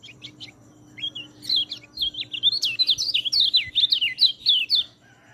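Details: White-eye song used as a training recording for birds that rarely sing: a quick, high, twittering warble of rapid slurred notes running about four seconds, with faint hum in the background.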